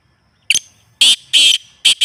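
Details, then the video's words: Black francolin call played to prompt a kept francolin to call: a short sharp note, then three loud harsh grating bursts, each lasting a fraction of a second, with quiet gaps between them. "کالے تیتر کو بلوانے والی مست آوازیں"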